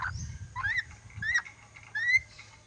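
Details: An ornate lorikeet from Sulawesi that is learning to whistle gives three clear rising whistles, each with a slurred upward sweep, about two-thirds of a second apart, over a low background rumble, amid repeated spoken words.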